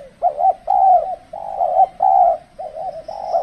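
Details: During decoy trapping in extreme cold weather, when the birds are less aggressive, a spotted dove gives a steady run of low, hollow coos, each about half a second long, repeated almost without pause.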